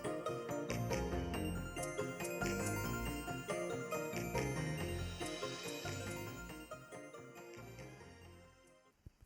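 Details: Only a tinkling instrumental music passage is heard, fading out at the end, with no animal sounds.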